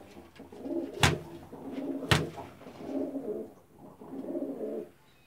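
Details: A pair of fantail pigeons, indoors. Low, rolling coos come in four bursts spaced about a second apart. Two sharp knocks are heard early on.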